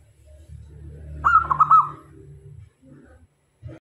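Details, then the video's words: Lively local zebra dove used as a decoy to bring male and female doves close: a single burst of rapid, trilled cooing notes rising out of a steady low hum, followed by quieter murmurs. "Perkutut Lokal Gacor Cocok Untuk Jadi Pemikat - Perkutut Jantan dan Betina Pasti Mendekat"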